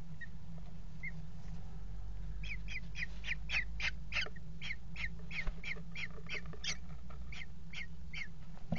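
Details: Eurasian kestrels pairing on the rim of a water-tower nest box, February 2018; after two faint notes, a rapid, insistent series of shrill kee-kee calls runs for about six seconds against constant low electrical hum.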